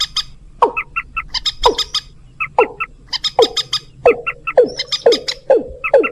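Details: Lure call for rails and watercocks: loud, harsh notes sliding steeply downward every half-second to second, mixed with rapid clattering, clicking bursts.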